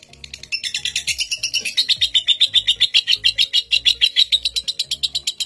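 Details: Ngekek of a record-breaking lovebird from Indonesia, a master bird for training young ones: after a short pause, a shrill rapid chatter begins, sliding slightly downward then rattling on evenly, with a thumping music beat.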